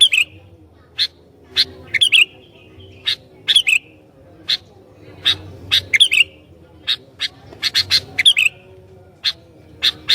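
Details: Sooty-headed bulbul singing to provoke rival bulbuls: brief liquid warbled phrases recur every second or two, mixed with many sharp, clicky notes, over a steady low background hum.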